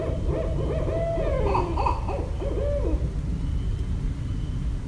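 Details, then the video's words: Barred owl calling in Westchester, New York, recorded 5.1.17: a quick run of hoarse rising hoots with a long sliding wail in the middle, over a steady low rumble. "Barred Owl Calls (New York)"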